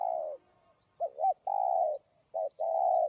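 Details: Spotted dove in 'giọng đồng' style, played to excite other doves. A long croo tail, then two quick coos and a long croo, then another coo and a long croo, all loud and close.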